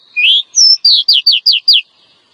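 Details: Female oriental magpie-robin calling to stir a male into song and breeding mood; a rising whistle and a high flat note, followed by five rapid, evenly spaced downslurred whistles, clear and loud.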